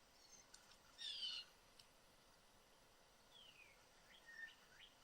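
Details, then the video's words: A whole family of Blue Jays perched in a yard tree in Southern Ontario, Canada, calling moderately loudly: one loud, downslurred, slightly harsh note, then a few fainter falling calls from farther off over soft hiss. "Multiple Blue Jays Calling In A Tree"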